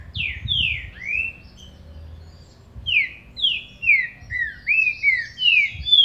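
A green-winged saltator sings clear, whistled notes that slur downward, then a brisker run of rising and falling whistles. Faint low thumps sit underneath.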